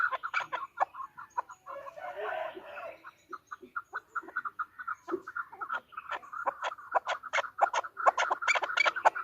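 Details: Female chukar partridge calling amid some background noise: scattered clucks at first, then a dense, quickening run of sharp chuck notes.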